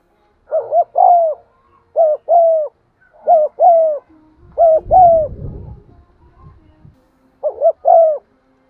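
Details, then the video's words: Spotted dove cooing and urging in a clear voice, used to stimulate wild doves: low hooting two-part coos, a quick double note then a longer drawn-out note, repeated about every second, with a brief rumbling noise midway. "tiếng cu gáy gù và thúc giọng son anh em mở nên kích bổi thì rất hiêu quả"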